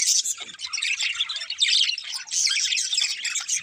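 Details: Two budgies chatter nonstop, a thick mix of shrill twittering, buzzy warbles and short squeaky notes running without pause for under four seconds.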